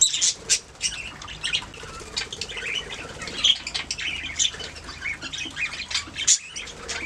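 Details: Budgerigars singing and chirping, several birds together: a busy stream of short high chirps and squawky notes with occasional wing flaps.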